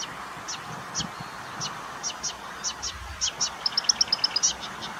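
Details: Marsh warbler song with mimicry of other species: thin high ticking notes, sparse at first, then quickening into a rapid rattling run, over a steady background hiss.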